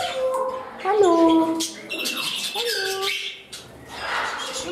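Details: Parrots kept as pets indoors, settling into a new home as one becomes temperamental; loud squawking calls with clear tones gliding downward, repeated a few times, followed by softer rasping chatter.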